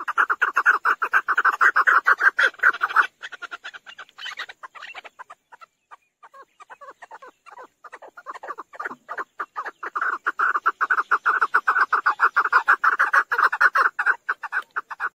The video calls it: Chakor sound. Chakor voice.